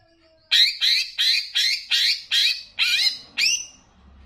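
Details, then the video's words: Banyuwangi greater green leafbird master recording with bebeci flavour, meant to raise emotion: eight harsh, rasping upslurred notes repeated about every third of a second, with a faint hum behind. "VARIASI LAGUNYA NGERI || MASTERAN CUCAK IJO UNTUK MENAIKAN EMOSI ! + BEBECI"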